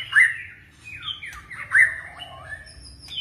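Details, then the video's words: White-rumped shama song in forest style: two loud whistled upslurs about a second and a half apart, linked by softer warbled notes and a low hum. "chòe lửa hót giọng rừng ,đảo giọng cực phê | murai batu"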